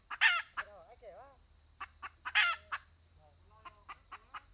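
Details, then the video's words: Wild red junglefowl hen, 31 May 2023: two loud raspy cackles, wavering softer calls between them, then a series of short clucks roughly every quarter second; steady high electronic whine throughout. "Suab poj qaib qus tsauj"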